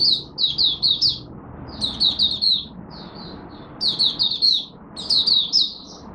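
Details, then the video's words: Malaysian oriental white-eye warming up for the day: clusters of fast, thin, high chirps in four groups, the pauses between them lasting about a second, with a faint rumble of background noise. "Malaysian Mata Puteh Buka Sing Poseidon 1st warm up for the day"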